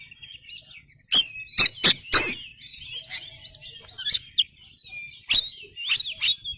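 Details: Oriental magpie-robin in lively lure song meant to trigger other magpie-robins: dense string of warbled, looping whistles with loud snapping clicks scattered through the phrase.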